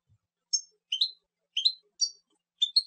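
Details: European goldfinch giving short, bright, two-part tinkling call notes, spaced about half a second apart, five groups in under three seconds, against a silent background.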